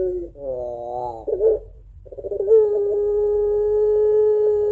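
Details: Crying-style coo of a puter pelung dove, a sound used to draw in other doves: a wobbling warbled phrase and throaty break, a gap, then a long even low note sustained to the end.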